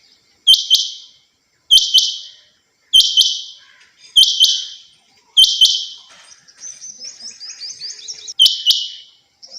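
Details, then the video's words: A female rain quail gives sharp, high, doubled notes about once a second, with fainter thin twittering in between. "Quail sound"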